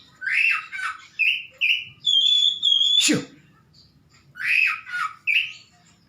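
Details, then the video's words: Home-kept Oriental magpie-robin in lively song: scratchy, squawking phrases alternating with a steady pure whistled note held for about a second, a sharp click-like snap, then further rasping phrases. "Burung Kacer Rumahan Gacor Gila!!!!"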